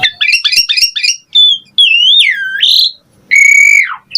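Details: Asian pied starling in pumping 'gacor mompa' song: quick rising chirps, a clear wavering whistle bending low and up again, then a loud flat whistle that drops steeply.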